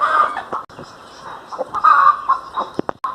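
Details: Pet domestic hen in Pakistan giving throaty, drawn-out clucking calls with a rising squawk in the middle, followed by sharp knocking sounds.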